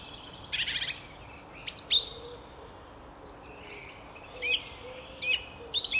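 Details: At early dawn in a Cardiff park, a song thrush sings short, varied phrases of bright whistles and harsh chirps, repeating each phrase at least twice, with quiet pauses between bursts.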